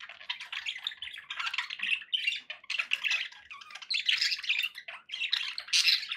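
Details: Several pet budgies warble continuously in a flock, with a busy run of buzzy chirps, squeaks and rasping notes that rise and fall in loudness.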